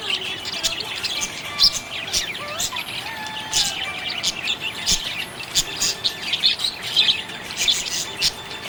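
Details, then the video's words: Budgerigar in a happy mood, softly warbling with high chirps and several clear whistled slides rising and falling, the chatter growing denser toward the end. "Happy budgie chirping sound"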